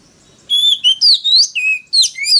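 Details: Oriental magpie-robin in loud 'wild voice' singing, used to lure and provoke rival males; clear whistled notes, steady and upslurred by turns, flow almost without pause, ending in a sharp rising phrase.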